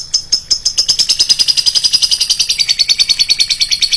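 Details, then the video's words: Lovebird giving a shrill lure call, a fast run of high, sharp chirps repeated about three times a second, holding a steady pitch before dropping slightly near the end. "pancingan burung lovebird, suaranya nyaring bosku"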